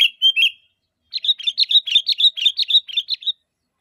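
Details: Sooty-headed bulbul calling to provoke answers from other bulbuls: two slurred notes, a pause, then a quick run of around fourteen bright chirps over two seconds.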